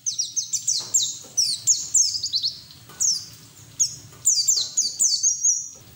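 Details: Pleci white-eye singing hard with open beak, as training audio to get other white-eyes singing; dense runs of high, downward-slurred chirps in rapid clusters, with short pauses between bursts.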